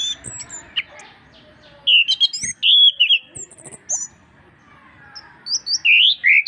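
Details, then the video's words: Lively Orange-headed thrush song, a master track for stimulating reluctant birds to sing: quiet opening, then bursts of high whistled slurs and sharp chirps separated by short pauses, with faint twitters and a steady hum behind. "masteran anis kembang gacor untuk perangsang burung susah bunyi"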